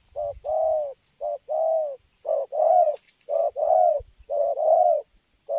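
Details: Persistent cooing from a spotted dove during bird luring: repeated two-part phrases, each a clipped note followed by a fuller drawn-out coo, coming at an even pace in a quiet setting.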